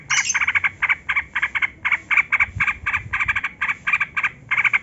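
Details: Yellow-vented bulbul gacor song for luring captive birds to sing: a steady stream of harsh, bubbly chattering notes, roughly three to four per second, keeps going through the whole stretch without pause.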